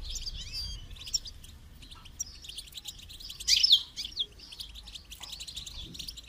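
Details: Goldfinch song for training, quick chattering twitters and buzzy notes throughout, peaking in a loud, bright flourish around three and a half seconds, over faint background noise.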